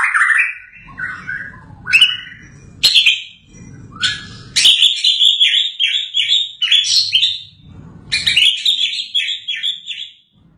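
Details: A White-rumped shama, just after its moult, in full song: rich, varied phrases of rising whistles and rapid chattering trills, delivered in bursts with short pauses between.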